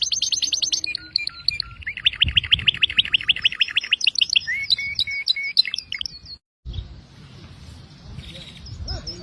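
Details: Canary song of rapid trilled and chattering phrases at varied pitches for about six seconds, broken off abruptly and followed by quiet with faint background sounds.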